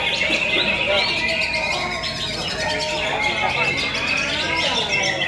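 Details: Greater green leafbird performing at a singing contest during heavy rain, judged first place, gives a dense, rapid warbling of high chirps and whistled phrases without pause, with other birds and people's voices behind.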